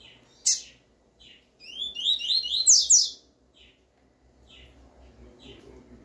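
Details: Double-collared seedeater performing the 'tui tui' song for training young birds: one sharp chip, then a rapid string of bright, upward-sweeping notes climbing higher, followed by soft scattered chips.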